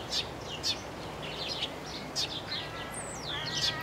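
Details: Eurasian tree sparrow singing: sharp, high chirps repeated about every half second, with a separate long, wavering, descending whistle near the end from another bird over a steady low background hiss.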